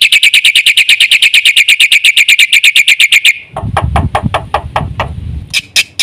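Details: Black-winged myna delivering a 'gacor full isian' song: a three-second run of rapid ringing high chatter, then scattered sharp ticks over low rumbling handling noise, finishing with two bright notes.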